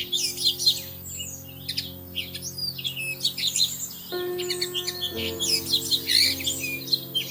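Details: Bushtit pair at their plum tree nest in early May, seen through a living room window; excited high-pitched twittering and tsit notes in overlapping bursts, above a low sustained musical accompaniment.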